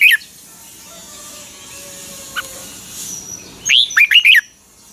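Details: Thai Red-whiskered Bulbul, Pa La-u cage bird, singing the doubled 'phleng boen' song. After a quiet stretch with faint distant chirps, one bright phrase arrives: an upslurred whistle followed by three rapid, wavering notes.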